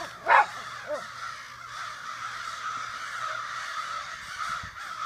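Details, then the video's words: Crows massed in a Sudbury backyard one morning: one loud, close caw at the start, then a softer continuous chorus of many distant overlapping caws. "Crow convention in Sudbury"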